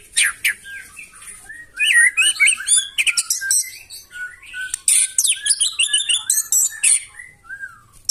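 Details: White-rumped shama pouring out a dense, loud song to provoke answering birds, with rapid chattering high notes, whistled slurs and short repeated phrases throughout.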